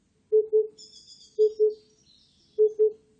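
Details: Oriental cuckoo giving low, hollow paired hoots, two quick notes per phrase, repeated three times about every second, with faint high twittering from another bird in the background.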